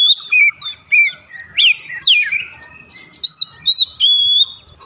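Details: Oriental magpie-robin song for triggering other birds to sing: spaced clear whistled notes, some falling, a sharp rising and falling slur mid-phrase, then steady level whistles.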